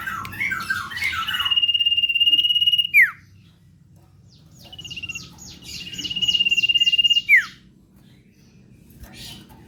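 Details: Common iora singing energetically as a lure call: a steady ringing high trill held about two seconds, closing with a swift descending slur, given twice with stuttered buzzy notes leading in.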